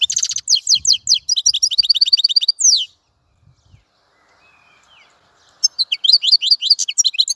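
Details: European goldfinch song of quick, high tinkling and buzzy notes, paused by a few seconds of near silence, then resuming with fast twittering phrases.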